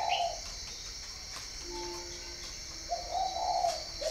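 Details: Spotted dove at a breeding farm in Ba Vì, northern Vietnam, giving a short low mellow coo phrase at the start and again near the end. A steady high insect drone and a faint low hum run underneath.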